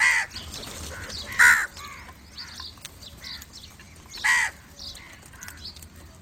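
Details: Harsh crow caws aimed at other crows: one at the start, a loud one near one and a half seconds and another past four seconds. Softer calls and light background noise fill the gaps.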